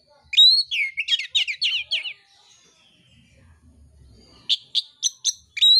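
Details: Oriental magpie-robin in fighting contest song: a rapid series of bright whistled notes descending from high to mid pitch, a quiet gap, then five short sharp repeated notes rising to a final whistle.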